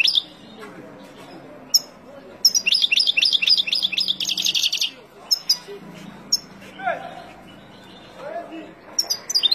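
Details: Wild European goldfinch song, used to teach young birds: scattered sharp chips, then a two-second burst of dense twittering with buzzy trills, followed by gaps, isolated calls and a few lower chirps.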